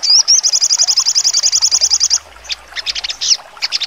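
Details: Sharp trotol singing from a sogon, the Crimson Sunbird: a short wavy whistle leads into a fast, even high-pitched trill lasting about two seconds, followed by a few separate sharp chip notes.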